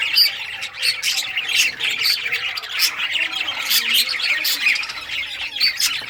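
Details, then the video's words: Budgerigars in rare colour varieties chirping during play with toys, 18 June 2023: dense, even chatter of squeaky chirps and squawks with repeated sharp clicks throughout. "Budgies all rare colors playing and chirping sounds playing with toys"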